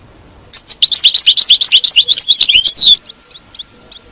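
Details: European goldfinch song, played to make a captive goldfinch keep singing: a fast burst of twittering, liquid notes and trills repeated rapidly for over two seconds, then a few softer scattered chirps trailing off.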